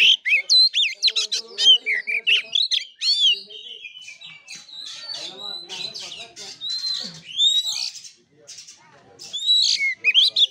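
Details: Oriental magpie-robin singing in the fighting style known as kura kura style: rapid, loud, varied whistles and sharp rising and falling slurred notes. A quieter, softer warbling stretch follows midway before bright whistles resume near the end.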